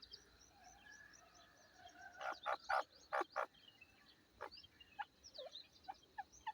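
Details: Grey francolin calling: four loud, harsh broadband notes in two quick pairs near the middle, then softer scattered notes, over a background of faint chirps and whistles from other small birds.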